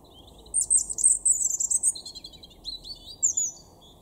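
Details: European robin singing in a garden in Weener, East Frisia, far northwest Germany, in April 2021: a high, thin, tinkling phrase with a fast rippling run, then lower twittering notes and a clear descending whistle, over quiet background.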